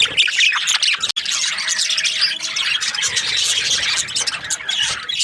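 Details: Many budgerigars in breeding season chatter together, a constant mix of high warbled chirps and scratchy squeaks, with one sharp silent break about a second in and a faint steady hum midway.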